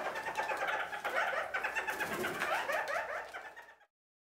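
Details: A male red-fronted (red-crowned) parakeet gives a steady, busy chatter of rapid warbled and squeaky notes for nearly four seconds, courting another male parakeet.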